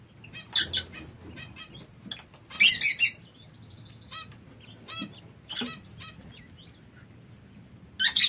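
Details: King quail (Synoecus chinensis) in an aviary give soft, high, thin peeps and chirps, broken by a few short bursts of rustling or scratching.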